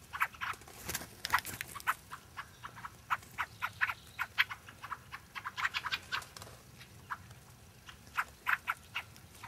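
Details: Fieldfares at Lee Common on 9 February 2012 give harsh, dry chattering chack notes in short bursts and quick irregular runs from several birds at once, over faint background hiss.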